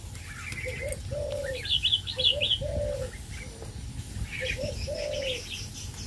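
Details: Male red-whiskered bulbuls kept in an aviary sing rapid bursts of high, chattering whistled notes. Low rounded coos sound at intervals of about a second.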